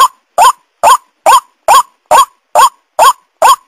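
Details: Lure call of a White-breasted waterhen: eight loud, coarse notes, each bending upward, spaced evenly a little under half a second apart, clean background.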